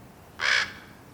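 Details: Fledgling common raven, hatched April 1st 2022, impatient while waiting for its parents to feed it: a single loud, harsh, raspy squawk lasting about a quarter second over quiet outdoor background.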